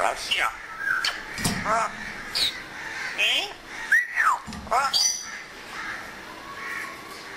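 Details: Pet African grey parrot that mimics Urdu and Pashto words, producing a run of varied speech-like syllables, harsh squawks and curved whistled notes.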